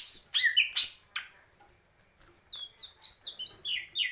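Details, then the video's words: Greater green leafbird song. It starts with loud, high, sharp chips and a swooping whistle, pauses for about a second, then resumes with a string of high, slurred notes. "cucak ijo purwo mendem gadong"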